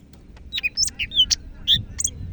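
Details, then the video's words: Greater green leafbird from Medan singing energetically: short slurred whistles and squeaky notes jumping between pitches in quick succession, with faint low background rumble. "BURUNG CAK IJO MEDAN GACOR"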